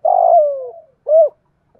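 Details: Decoy spotted dove of 'thổ' voice, cooing to lure wild birds: a long, rough, drawn-out coo that slides downward, followed after a pause by one short, clear, arched coo.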